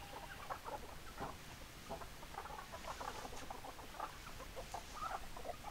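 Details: Several chickens, called with their favourite food, cluck and chatter in short, overlapping bursts, a busy flock murmuring over steady low background noise.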